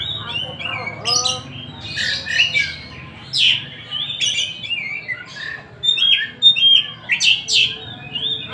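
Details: Tasik kacer, an Oriental magpie-robin, singing as it pleases: a varied stream of whistles, rasping bursts and ringing high notes, in quick phrases with short gaps.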